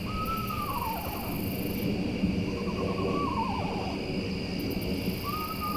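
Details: Very close Eastern Screech-Owl at night by a trail: repeated descending trilled whinnies, one following another within a few seconds, quavering as they drop, set against a continuous insect chorus.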